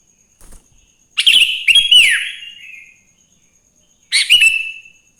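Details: Morning song of a wild Sooty-headed bulbul, meant to draw other bulbuls into singing: a loud rich phrase of chirps ending in a long downward slur, a pause, then a second bright burst trailing off.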